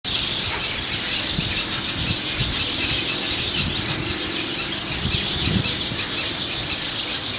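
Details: Three hungry Roseate spoonbill chicks begging for food at a nest in North Florida, a steady chorus of high, wheezy squeals and squawks with no pauses, over low rumbling wind noise.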